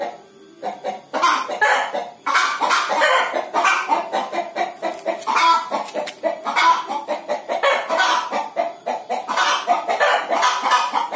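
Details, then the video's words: Hen about to lay an egg, cackling steadily in rapid, harsh, repeated clucks that run almost continuously for about eleven seconds after a short quiet start. "Ayam Betina Mau Bertelor - Hens"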